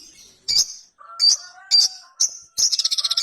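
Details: A ruby-cheeked sunbird repeats high, sharp chirps about every half second, with soft lower whistled tones between them, then breaks into a rapid trill at the end.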